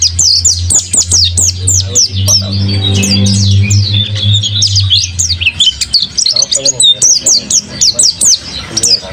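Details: Mountain white-eye held by a keeper and said to be in strong singing form pours out fast, high twittering phrases of sharp slurred chirps throughout, over a steady low hum and murmur during the first half.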